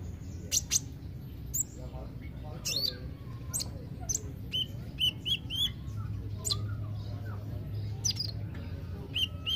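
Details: Kolibri ninja, a sunbird kept as a cage bird, giving sparse thin high chirps and short sharp notes at irregular intervals over a low steady hum, with faint voices in the background.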